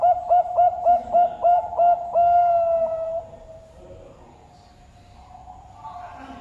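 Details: A caged zebra dove, two and a half years old, from a bird farm in Sidoarjo, East Java, Indonesia. About eight rapid hollow coos run together, then one sustained, level note, followed by quiet room noise.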